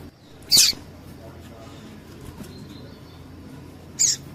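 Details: Female double-collared seedeater calling to stir a male into singing: two short, sharp, high chips about three and a half seconds apart over an otherwise quiet, faintly humming background.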